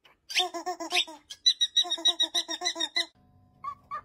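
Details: Cockatiel kept as a talking pet bird, uttering bursts of harsh high squawks followed by a fast series of evenly spaced nasal notes, ending in quieter scattered chirps over a faint low hum.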